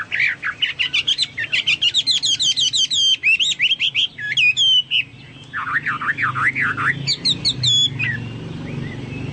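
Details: Chinese hwamei in full song, compared to cucak Papua or cucak mas: fast bursts of sharp, high, trilled notes, a run of lower V-shaped slurred whistles, then more high piercing notes over a soft background rumble.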